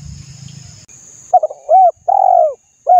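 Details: Spotted dove cooing, used to stir other doves into calling: a short stuttering lead-in, then two loud, smooth, arched hooting notes, the second longer, with a new phrase starting at the end; faint low rumbling before.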